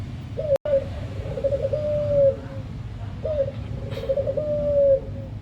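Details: Cooing of a puter dove, played to get captive doves singing: two low, rolling coo phrases, each opening with a short rising note and ending in a long drawn note, over constant low rumble and a click.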